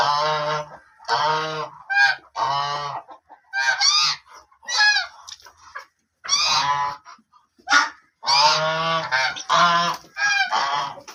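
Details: White and black ducks quacking loudly and repeatedly, harsh nasal calls in bursts of one to two seconds with brief gaps, some doubled, continuing throughout.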